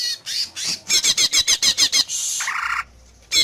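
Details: Greater green leafbird singing so other leafbirds respond: quick repeated high, scratchy notes at a brisk regular rhythm, then a sustained harsh buzz dropping to a lower rasp.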